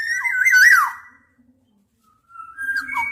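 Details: Black-naped oriole singing a brief warbling whistled phrase, silence for about a second, then a rising and falling whistled reply.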